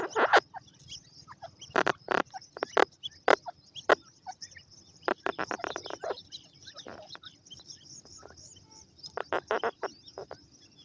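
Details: Grey francolin, known locally as desi teetar, giving loud, harsh calls in clustered bursts of rapid sharp notes with short gaps between them. Faint chirping from other birds continues underneath.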